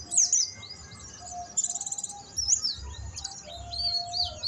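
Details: A Buxton's white-eye learning canary-style song: very high, thin chirps and quick sweeping notes with two brief rattling trills, over a faint steady low tone.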